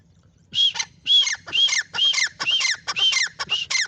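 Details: Francolin giving loud, raspy, rhythmic calls. Each is a grating double-part phrase, repeated roughly every half second after a brief quiet start, with little other sound.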